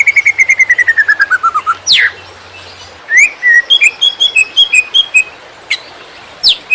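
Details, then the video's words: Greater green leafbird, master song for training other birds: a falling pulsed trill, a sharp sweep, then scattered whistled and chattering notes at varied pitches. "Cucak Ijo Konslet Tiada Lawan! Masteran Super Hot Buat Cetak Burung Lapangan"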